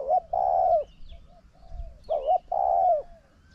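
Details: Wild and decoy spotted doves cooing during a decoy session: two clear, low coo phrases, each a quick double note and then a long, even, slightly falling coo, over a faint low rumble.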